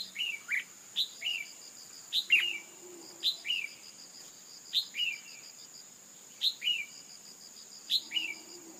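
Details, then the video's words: Calls of a female red-whiskered bulbul, meant to prompt a male into vigorous song: repeated couplets of a piercing high note and a falling lower whistle, spaced roughly a second apart, against a continuous high pulsing insect-like hum. "Kích chào mào trống hót căng lửa bằng tiếng chim mái cực chuẩn"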